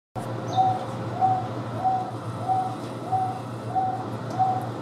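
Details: Wonga pigeon at the Houston Zoo, kept with Taveta weavers: a mid-pitched hollow coo repeated steadily about every 0.6 seconds, seven notes, over a constant low hum, with a faint high chirp early on.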